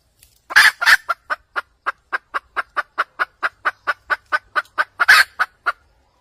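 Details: Wild red junglefowl hen cackle used as a trapping lure. It opens with two loud, rasping squawks, then a steady run of quick clucks, with another harsh outburst near the end.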